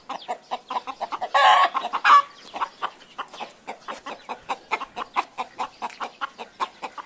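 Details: Chicken clucking on a farm, quick repeated short clucks with a brief loud squawk near the start, then a steady rhythmic run of clucks to the end.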